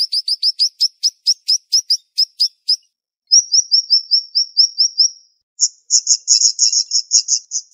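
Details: Siri-siri bird in fast, dense song: quick sharp chirps, then a run of slurred high whistles, then buzzy trilled notes in close succession.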